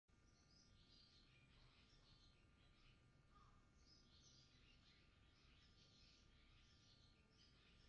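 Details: Male barn swallow at the nest, 30 April 2018, singing intensely in a fast, continuous, scratchy warble of high notes before the female arrives, over a steady low rumble of background noise.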